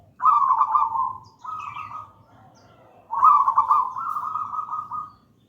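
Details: Gedang rojo local zebra dove, wild-caught, in full song as a master for doves not yet singing: a two-part rolling trill, a pause, then a longer, even purring coo phrase.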